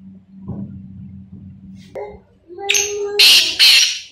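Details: Black francolin giving a harsh call after a low rising tone and a quiet stretch: loud rasping broadband bursts, two strong ones near the end, with a constant low hum behind.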